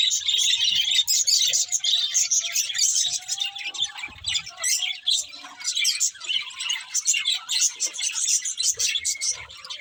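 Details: Several pet budgerigars chirping together in a dense, continuous chorus of high, rapid twittering and warbling notes with scratchy chatter, steady throughout with brief dips in loudness.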